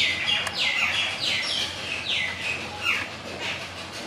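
Jungle babblers give harsh, squeaky, downslurred notes about every half second, several birds overlapping in a scratchy chatter against a soft background hiss.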